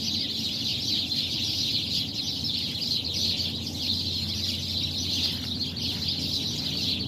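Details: Pre-dawn racket from a tree packed with birds: continuous shrill twittering from many callers at once, slightly pulsing in intensity, over a quiet low hum.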